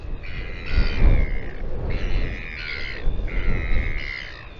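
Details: Royal albatross at its breeding colony on Taiaroa Head near Dunedin, New Zealand, filmed by a live camera: three drawn-out, harmonic braying calls of about a second each, separated by short pauses, over a steady low roar of wind.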